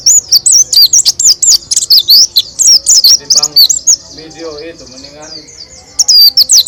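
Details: White-eye singing loudly with open beak, in the rolling, rapid style called roll tembak; high twittering warbled phrases in fast bursts, a quieter lower chattering passage in the middle, then the loud twitter resumes.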